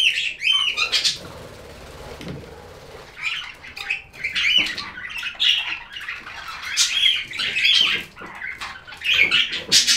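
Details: Budgerigar chirping: scratchy, warbled chatter with short whistled notes, broken by a quieter stretch early on, then dense overlapping squeaky phrases to the end.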